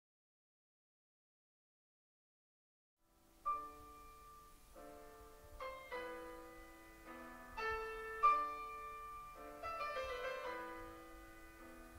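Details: Three seconds of silence, then slow piano music with sustained chords and single notes; no bird or other animal can be picked out.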